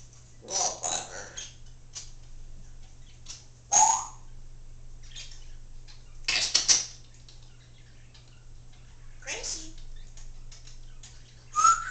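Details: A pet Congo African grey parrot talking indoors, known to say phrases like "I love you", "hi bird" and "step up"; scattered short whistled and voice-like syllables with pauses, over a steady low hum.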